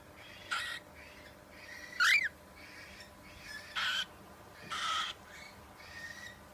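A cockatiel gives short, harsh screeching calls with one rising and falling whistled note among them.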